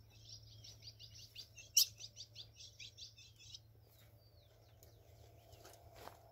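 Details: Blue-black grosbeak, called azulão tesourão, singing: a quick series of high chirped notes for about three and a half seconds, followed by quieter scattered calls and a steady low hum.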